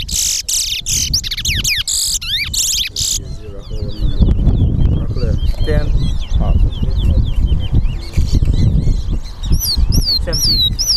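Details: Towa towa in a bird-singing contest at the Lamaha & Vlissengen Road bird ground, Guyana, songs being counted; three seconds of loud whistled, sweeping phrases, then softer chirps beneath a noisy crowd, speech and music.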